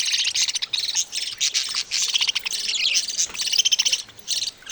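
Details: Baby budgerigars making busy, scratchy high chirping, with dense bursts of rasping notes running together and only short breaks.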